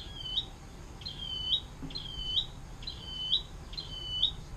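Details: Atlantic canary, 'air mancuran' song style used as a tutor for other songbirds: soft, high, short sharp notes repeated about once per second over a steady background hiss.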